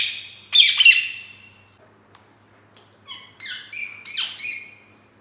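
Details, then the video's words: Ringneck parrot chirping in its cage: one loud harsh burst of scratchy notes, a quiet gap with faint clicks, then five shorter bright chirps with downward sweeps in quick succession. "Chirping sound of green parrot | Indian Parrot sound/voices"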